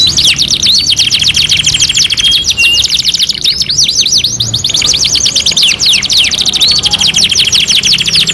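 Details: Canary singing, taken from a two-in-one master recording for training songbirds: dense, unbroken high trills of quick repeated notes with a few short, clear level whistles mixed in.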